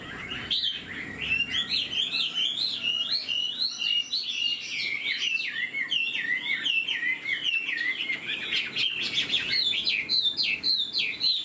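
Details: Fan-tailed caged hwamei, newly moulted, tail-flicking while singing; a long continuous stream of rapid zigzagging whistles, loud and bright, with scattered sharp clicks throughout.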